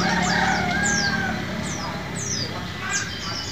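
White-eye song: thin, high, descending whistled strokes, about four a second, over a lower warbling band. A rooster-like crow and steady background hum underneath.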